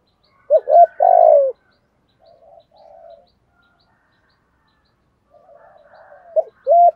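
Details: Spotted dove 'thổ' voice urging coo meant to make wild doves coo back: a low hoarse phrase with a long falling note, quieter distant cooing, then another phrase starting, with light chirps.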